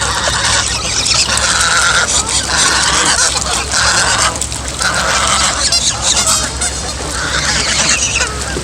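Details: Young female goose making strange, horrible-sounding noises: repeated raspy, nasal honks in a steady series for about eight seconds, with a constant low background hum.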